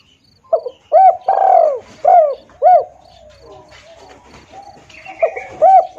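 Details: Spotted dove calling, recorded as a lure sound for trapping birds: a series of low, hollow, arched coos, some drawn out, delivered in an uneven rhythm about twice a second, with faint higher chirps from other birds in the background.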